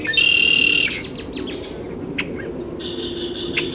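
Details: Great-tailed grackle in Taos, New Mexico, 17 June 2017, gives a harsh, buzzy note lasting under a second, a few soft clicks, then a second buzzy burst at the end.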